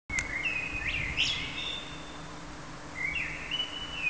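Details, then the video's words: Common blackbird singing: clear fluted whistled phrases that slide and drop, broken by brief high twittering flourishes, with a pause before a further whistled phrase; low steady background hum. "Feketerigó énekel"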